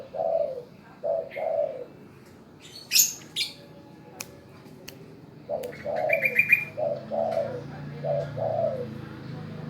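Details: Spotted dove obedient to calls for song, cooing in short-long hoarse pairs, first two phrases, then a pause with sharp clicks and rustling, then four more phrases beneath a brief high rapid trill.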